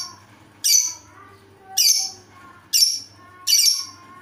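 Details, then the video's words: Lovebird with an odd voice, uttering four short, shrill, rasping squawks at irregular intervals of about one second, each a high, noisy burst with a faint whistled tone inside. "Lovebird dengan suara aneh"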